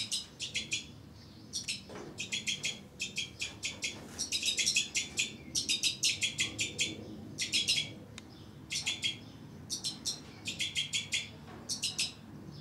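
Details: Two-barred crossbill breeding pair kept with young birds, calling steadily: sharp, dry chip notes in fast runs of three to six, grouped in bursts roughly every second, with a faint wing flutter.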